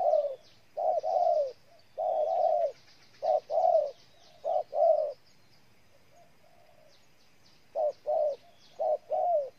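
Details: Repeated deep cooing of a spotted dove in Ninh Thuận, Vietnam: short paired and tripled notes, then a silent gap of a few seconds before the phrase resumes; light high chirping from other birds behind.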